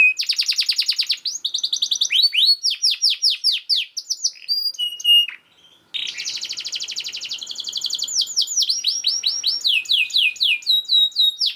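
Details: Canary song used as a master recording for training other canaries to sing: fast, dense runs of rapid descending whistled notes in trills, a brief pause midway, then more rolling repeated phrases.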